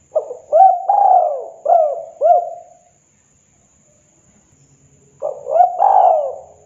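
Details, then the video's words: Perched local wild spotted dove in "KUK 2" style: a phrase of about five low, mellow coos with rolling, slightly rising notes, a pause of two seconds, then the phrase begins again. "Tekukur KUK 2 Lokal Alam Manggung Gacor Suara MERDU"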